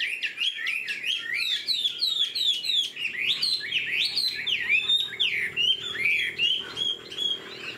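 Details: Chinese hwamei kept in a cage, new plumage, tail spread, flicking it while singing; loud, fluid whistled song of looping up-and-down notes delivered almost without pause, roughly eighty phrases a minute.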